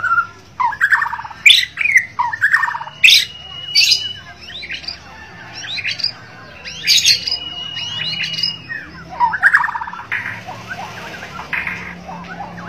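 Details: White-rumped shama from Borneo singing energetically in the gacor dor style: a rich run of varied whistled phrases, rapid chattering notes and long steady high whistles, delivered in bursts separated by short pauses.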